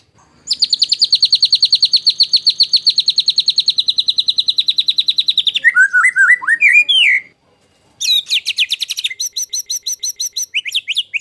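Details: White-rumped shama singing a 'tembakan kasar' master song for training contest birds: a long, fast, even trill lasting about five seconds, then lower twisting whistles, a brief pause and another harsh rapid trill.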